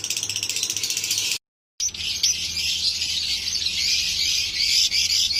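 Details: Paired lovebirds in a breeding colony, a dense, rapid chorus of high, buzzy twittering calls, interrupted by a brief silent break before the chatter carries on steadily.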